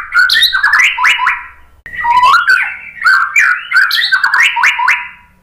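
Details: White-rumped shama in nearly unbroken song, lively slurred whistles and sharp accents rising and falling, broken by one brief silence partway through.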